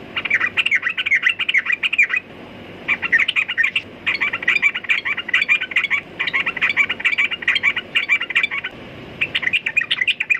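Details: Lively chattering song of a sooty-headed bulbul in five or six dense runs of quick warbling notes, each a second or two long, with short gaps between them.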